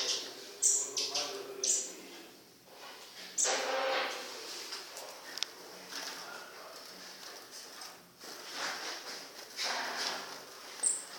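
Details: Kept Black-throated bushtits (Aegithalos concinnus) give a few very high, thin, sharp call notes, spaced irregularly, over a steady rushing background noise.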